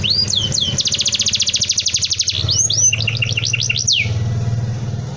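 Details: Canary giving a dense rolling song meant for tutoring other birds: rising whistled sweeps open into a long, fast, even trill, then looping up-and-down slurred notes and a closing falling whistle, over a low background hum.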